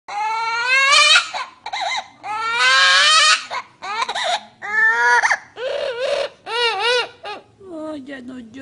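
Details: Parrot in a small room imitating crying: wailing, sobbing cries with rich harmonics, rising and falling in pitch, in bursts roughly every one to two seconds, with short gasping breaks between them.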